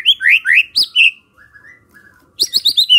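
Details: White-rumped shama song meant to prompt other shamas to answer: loud rich whistled phrases with rising and falling slurs, a brief soft pause, then a fast burst of bright chattering notes.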